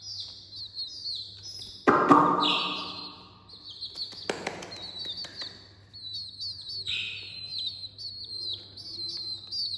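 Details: Small chicks calling early in the morning give repeated high, sweeping peeps in quick series. A brief loud rustle or thump comes near the start, with a steady low hum beneath.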